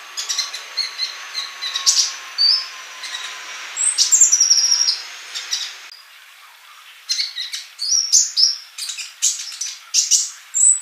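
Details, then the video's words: Sunbird song of high, thin chirps and brief whistled notes, busy in the opening seconds over a faint steady hum, then a short lull before a fresh run of rapid chirps. "MASTERAN UNTUK BURUNG COLIBRI GACOR"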